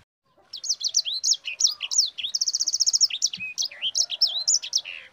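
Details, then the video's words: Lively, high Sanger song of rapid twittering notes and sweeping chirps, broken by a fast rolling trill of even, repeated notes. "Suara Burung SANGER GACOR Ngerol Pedas"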